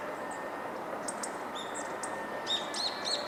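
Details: Hawfinch in a small flock perched high and far off, recorded 19 November 2022, with a male calling and a female beside him. Scattered clicks come first, then three clearer, sharp arched call notes close together near the end, over background hiss.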